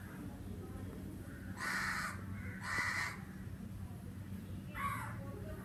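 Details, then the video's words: Crow in summer giving three harsh, broadband caws, two close together then a shorter one after a pause, over constant low-pitched background hum. "sounds of the Crow"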